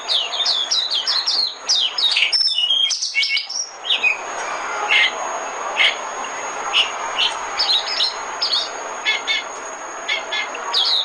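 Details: Oriental white-eye decoy song for bird trapping: dense fast high chirps at first, then sparser short sharp notes spaced irregularly, with a faint steady high tone and background hiss.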